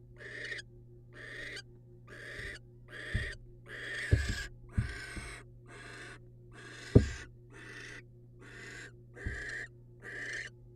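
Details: Male barn owl bringing prey, a rodent, to the female, wild birds: harsh hissed screeches repeated about once a second, broken by thuds and scuffles, over a low steady hum.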